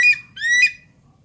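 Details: Javan pond heron, Ardeola speciosa, uttering two short, rasping, rising squawks about half a second apart, the second longer and swelling before fading.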